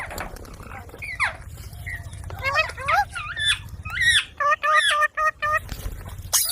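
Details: Baby green desi parrot talking amid a low background hum: scattered squeaky, twisting notes, then toward the end a quick series of short, evenly spaced nasal syllables and a sharp high squeal.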